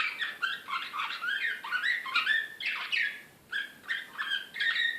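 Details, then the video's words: Belgrade Slavujar canary, Serbian song style, 2016, singing excitedly in a lively series of rolling, slurred whistles and buzzy notes that rise and fall. A short pause comes midway, then the high clear phrases resume. "كناري هائج"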